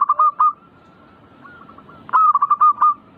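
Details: Perkutut (zebra dove) manggung song to prompt birds to sing; two loud bursts of five or six fast, ringing coo notes, with faint scattered coos between them.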